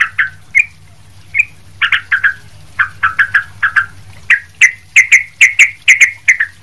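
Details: Sooty-headed bulbul singing busily as a tutor: short chirps in pairs and threes, building to a fast series of sharper, higher notes.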